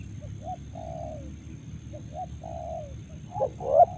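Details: Spotted dove calling on a morning in Karawang rice fields; soft, distant drawn-out coos repeat through most of the clip, then a louder, nearer rising coo closes it, over low background rumble.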